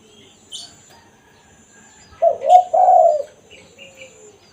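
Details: Spotted dove giving the 'kuk satu' luring call: one phrase of low, smooth coos past the midpoint, with scattered thin high chirps from other birds before and after.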